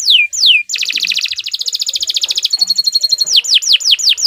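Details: Canary song for training young birds, long continuous singing; two sweeping downslurred whistles, then a rapid rattling trill of about three notes per second-fraction, a thinner trill, and more looping descending whistles.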